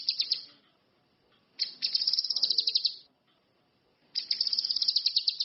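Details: Orange-headed thrush singing strongly: three bursts of rapid, high, scratchy notes, the middle one longest, each trill pulsing quickly and separated by quiet gaps of about a second.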